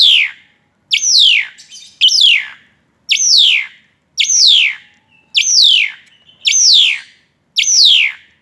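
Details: An Asian pied starling sings intensely while tripping, delivering a run of loud downward-sweeping notes near once per second, with a little chatter after the first few strokes.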